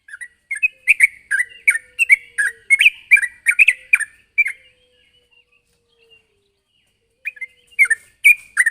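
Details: Sooty-headed bulbul calling a rival: an energetic burst of bubbly chirps for four seconds, then near silence, then the chirping resumes at the end.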